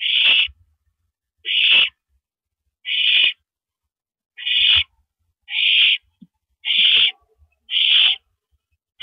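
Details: At the nest at 9:14 PM on April 9, 2012, an owl passes a rabbit to its mate; eight harsh, noisy hissing screeches repeat about every second and a quarter, each roughly half a second long, with faint thumps between.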